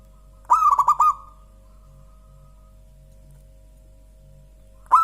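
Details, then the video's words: Local zebra dove song: a loud stuttering phrase of about five quick, mellow, hollow coos runs together in half a second, then a long quiet pause before the next phrase begins; a faint low hum runs throughout. "Suara Burung Perkutut Lokal"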